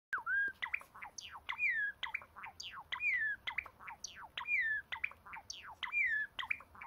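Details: Pet Java sparrows kept indoors, heard without background music: a busy run of sharp clicks and downward-sweeping notes mixed with clear whistled phrases that rise then fall, repeated roughly every second across the stretch.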